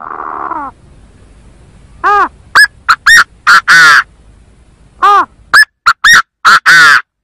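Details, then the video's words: Chinese francolin phrases played as a bird-trapping lure. After a brief buzzy sound, two loud harsh phrases follow about three seconds apart. Each starts with an arched note, runs through quick clipped notes, and ends in a drawn-out note. "Tiếng chim Gà Gô kêu chuẩn 100%"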